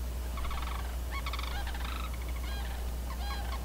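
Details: Two pair-bonded Sandhill Cranes near a pair of Canada geese, not dancing, at Sax-Zim Bog on a snowy April 14, 2021 morning, give loud, rolling, trumpeting rattles in several quick bursts over a steady low rumble; geese may call too.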